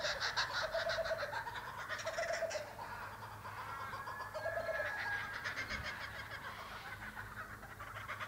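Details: Laughing kookaburras in a forest in Australia give a raucous chorus of rapid, harsh chuckling notes rolling up and down, with low hooting phrases, overlapping throughout; currawongs and Australian ravens may also be heard.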